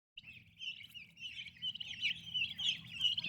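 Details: Turkey chicks kept with their mother, described as healthy and active babies; a dense, continuous chorus of high, thin peeps from many chicks overlapping, with a low murmur underneath.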